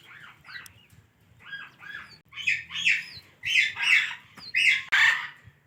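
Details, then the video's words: Talking ringneck parrot kept as a pet, giving a string of arched, speech-like syllables that grow louder and harsher toward the end, roughly one per second, in a quiet indoor room. "Ringneck Talking Parrot"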